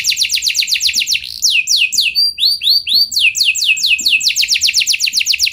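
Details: Rolling canary song used as a lure to set other canaries singing, fast repeated downward-sweeping notes, a brief passage of slower looping whistles in the middle, then the quick trill returns; faint low knocks in the background.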